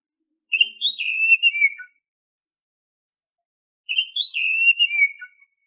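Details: Oriental magpie-robin whistled song, used as a lure to get caged birds singing. A clear, falling phrase of sliding whistles is sung twice, about three seconds apart, with silence between.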